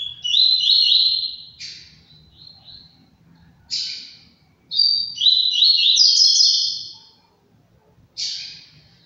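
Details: Captive double-collared seedeater from a breeder singing loud, fast buzzy phrases of stuttering notes. The phrases sweep between mid and high pitch and are separated by short pauses. Faint low background hum.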